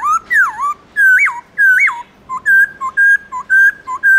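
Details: Black-throated laughingthrush singing its wild-style morning song: swooping whistles give way to a quick series of steady clear notes alternating with shorter lower ones.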